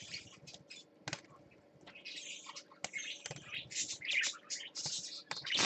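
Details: Parakeet on swings in a cage at a nesting setup, chattering in a steady run of high twittering chirps and squeaky warbles that grow louder toward the end, with scattered knocks and clicks.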